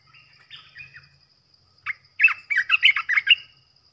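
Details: Caged bulbul decoy, an olive-winged bulbul, starts with soft muted warbles, pauses briefly, then delivers a loud, fast string of liquid chortling notes bouncing up and down in pitch.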